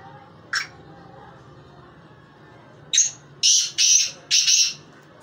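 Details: An isolated short note from a black francolin, then after a pause a clipped note leading into three harsh, grating bursts in rapid sequence.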